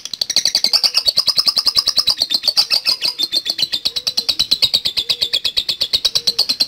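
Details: Rapid, machine-like chatter of a lovebird in the long 'ngekek' style used to coax other birds to sing: sharp high chips at roughly nine per second, sustained for the whole seven seconds without pause.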